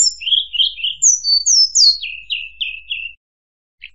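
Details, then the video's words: Murai buluh singing brisk, high, whistled notes: wavering chirps, three sharp downslurred whistles, then a quick run of four falling notes, followed by a brief pause and one short chirp. "Suara Burung Murai Buluh"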